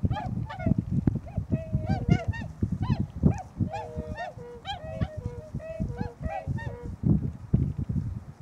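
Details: Tundra swans wintering at Nonaka in Toyama City, Japan, recorded about noon on 13 December 2011, fewer birds than usual: dense chorus of soft, nasal, honking whoops from many swans, calls overlapping and tumbling almost continuously, with low background rumble.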